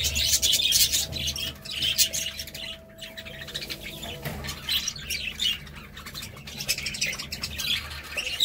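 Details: Budgerigars chattering in a dense, continuous stream of high chirps, squeaks and short squawks with no clear pauses, over a faint steady low hum.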